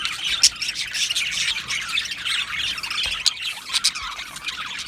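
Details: Budgerigar colony in an aviary, 12 July 2025: busy, continuous high-pitched chatter of many budgies with occasional sharp squawks and clicks standing out.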